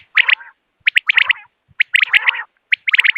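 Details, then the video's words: Morning quail, recorded for hunting: short groups of sharp, high, ringing notes, each cluster trailing into a lower, rough, burring tail, in three bursts. "Morning Quail Call 2025 صوت السمان واضح للصيد Batair Ki Awaz"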